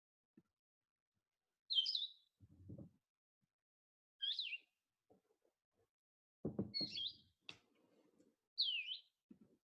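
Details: Blue-headed Vireo song in spring, perhaps in South Carolina: four sweet, slurred high phrases, each about half a second long, spaced two to three seconds apart, a slow, deliberate "vireo" song, with soft low knocks and thumps between them.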